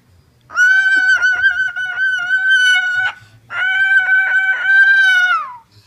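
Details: Pet male Moluccan cockatoo, said by his owner to be showing affection while being naughty, gives two long, steady, nasal honking calls of about two and a half seconds each, with a brief pause and a slight drop at the end.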